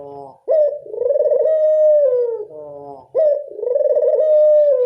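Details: Lure recording of a local Barbary dove: two deep rolling coos, each opening with an abrupt upward note and a drawn-out purring middle that sags at the end, separated by a brief quieter pause.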